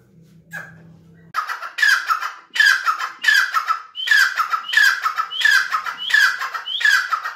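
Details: Grey francolin: a brief low hum and faint note at the start, then a long series of loud, harsh, rhythmic phrases, each a rising lead note and a rasping descending burst, about one and a half per second.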